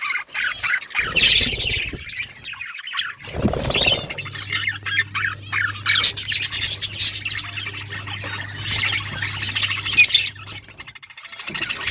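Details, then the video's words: Breeding budgies give harsh squawks and chattering chirps in bursts separated by short gaps, over a constant low hum through the middle part. "Budgies breeding progress | Birds chirping sounds"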